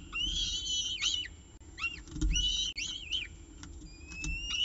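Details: Evening meal at a peregrine falcon nest, nestcam footage from 18 October 2018, 6:51 pm: a few drawn-out, quavering screeches, some bending up and down, with short gaps and low rumbling noise between.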